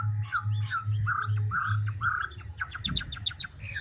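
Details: Large wild-caught Chinese hwamei switching voices in ngũ trường song, here using lower mellow warbled notes repeated every quarter second, then a quick series of high ticking chips, with a pulsing low hum.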